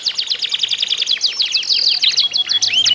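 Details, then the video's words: Contest canary singing meant to trigger song in other canaries: rapid chattering trill followed by a sustained buzzy whistle and a looping sweep. "ADU GACOR KENARI ISIAN"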